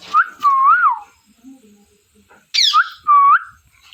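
A parrot gives two loud, wavering whistled phrases about two seconds apart, each rising and falling in a warbling curve, with a brief quiet gap between.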